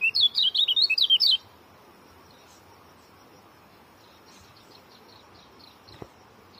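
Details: Fast, tightly packed short-speed song of an Oriental white-eye: just over a second of loud, high, zigzagging whistles, followed by quiet background with only faint distant chirps and one soft click.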